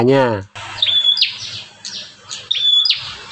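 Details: Wild bar-winged prinia, described as fierce, calling outside a cage; its voice is used to lure other prinias and restart silent ones. A level whistle, then buzzy downslurred notes, repeated twice; a brief harmonic sound opens, with music beneath.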